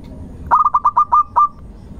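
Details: Local zebra dove song used to prompt other birds to sing: a single low phrase of about seven quick stuttering coos, the last note drawn out slightly longer.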